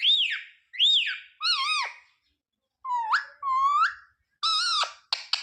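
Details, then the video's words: A pet ringneck parrot copies human words like "mummy" and "papa" in a string of short voice-like phrases: two arched whistles, a wavering buzzy note, rising slurred syllables, then a clipped harsh word and a squawk, all indoors. "Ringneck parrot talking sound mummy, papa, mithu"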